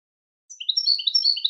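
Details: Brief snatch of European goldfinch song, a quick string of liquid, tinkling notes alternating up and down in pitch, about one second long against silence.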